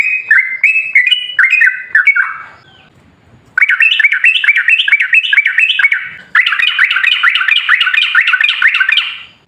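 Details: Sooty-headed bulbul singing as a lure to set other bulbuls singing: bright warbled chatter of short looping notes, a pause of about a second, then two longer, faster bursts of repeated bubbly phrases.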